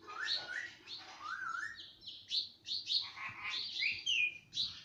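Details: Pet parrot that imitates household words: two rising whistles open, followed by clipped high chirps and raspy, voice-like syllables in an uneven sequence, with a faint low hum behind.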